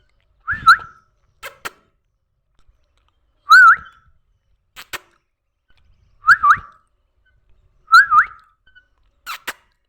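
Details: Pet parrot learning to talk: short whistled rising-and-falling notes repeated about every three seconds, between sharp clicks and a person's voice calling to it.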